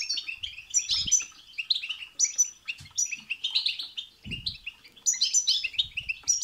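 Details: Bitbita and sitsita goldfinch song, said to drive a goldfinch into excited singing; rapid sweet twittering and buzzy trills, steady and dense, with occasional short low thumps.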